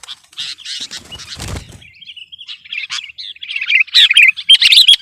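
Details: Sooty-headed bulbul in rival-pressuring song, mixed with wing flapping early on. A thin, wavering run of notes builds into loud, rapid chirps and twitters.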